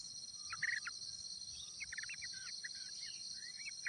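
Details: At a wild nest where a parent yellow-vented bulbul raises its chicks, quick chattering chirps come in short bursts, some slurred and rising, under a continuous high-pitched hum of insects.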